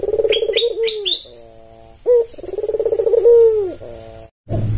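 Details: Albino white Barbary dove with red eyes, a tame caged bird used as a lure, giving a rolling throaty coo that swells then slides down; higher chirps of small birds at the start, a brief knock near the end.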